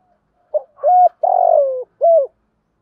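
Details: Spotted dove used as a decoy bird, cooing in the morning to lure other doves: a short low coo, then three deeper hollow coos, the middle one longest and sliding slightly downward, in a quiet setting.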